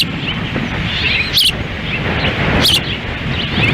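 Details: Ospreys at a nest in Lolo, Montana, on a windy June 10, 2017, the female feeding chicks while the male stands by; two sharp, high whistled chirps rise through steady roaring wind.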